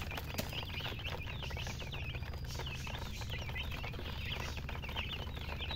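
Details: Several baby chickens chirp continuously with high, looping peeps in quick clusters and a brief sharp click near the start, over a constant low hum.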